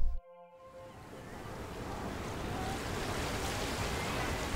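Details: After a brief sustained musical tone at the start, steady ocean surf roars as a broad wash of noise.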